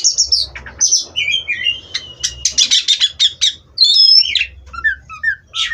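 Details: Oriental magpie-robin bred in captivity, singing clear whistles followed by a fast series of loud chips, then a bright rising whistle and soft descending notes.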